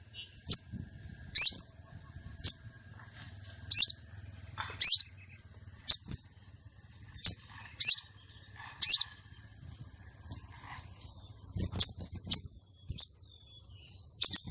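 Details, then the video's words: Female common iora calling, meant to lure males and bring on breeding condition for contests: a long run of sharp high chirps and short buzzy slurred rattles, irregularly spaced about a second apart. "Pancingan sogon betina untuk pikat dan pancing birahi sogon jantan lomba"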